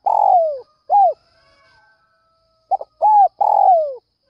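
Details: Calling to lure other doves early in the morning, a spotted dove gives a falling buzzy coo and an arched note, pauses, then repeats a stutter, rounded coo and long descending coo.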